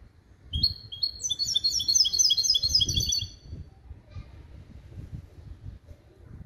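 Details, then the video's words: Hybrid European goldfinch × canary, bred from a male goldfinch and a female canary and schooled in clean limpio song, gives a quick burst of sharp, high chirped notes repeated rapidly, then quiet room noise. "CHANT DE MON HYBRIDE JILGUERO ET CANARI"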